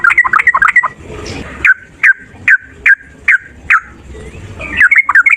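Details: Fighting male yellow-vented bulbul, kept to prompt other birds to sing, giving rapid bubbly warbled phrases, then a series of single sharp downslurred notes about every half second, then fast chattering phrases again.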